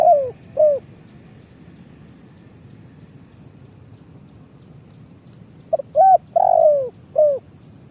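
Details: Spotted dove lure call for trapping, Indonesia: a phrase of cooing notes at the start, a long silence, then the full phrase again with stuttered intro, short coo, long falling rolled coo and closing note.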